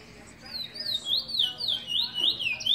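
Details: Trinidad bullfinch, a proven teacher bird for training young birds, singing a loud run of high, whistled, wavering notes that swoop up and down in linked phrases, each about half a second long, over a faint low background hum.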